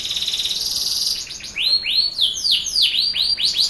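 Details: Canary song used to coax young birds into singing: a fast, even, buzzy trill gives way to a series of looping, arched whistled notes repeated about three times per second, loud and close.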